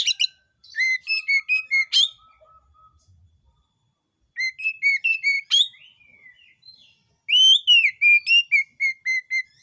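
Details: Oriental magpie-robin song meant to trigger singing in other magpie-robins: three bursts of clear, quick whistled notes, some slurred up and down, the phrases separated by silent pauses of a second or more.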